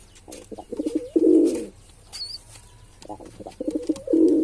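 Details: Low rolling coos from a male pigeon, two pulsed phrases separated by a quiet gap that holds a brief high squeak, with soft indoor background noise.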